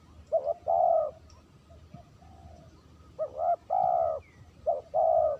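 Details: Clean spotted dove call used as a lure. Three phrases of a quick double coo followed by a drawn-out mellow note, with a faint soft coo between the first two phrases and a low rural hum behind.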